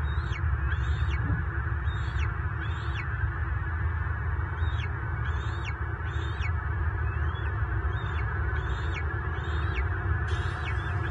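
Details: Bald eagle near a southwest Florida nest on March 24, 2023, during a clash between the lone resident male and a mature intruder; long series of high, thin notes each ending in a steep downward slur, broken by a brief pause, over low drone.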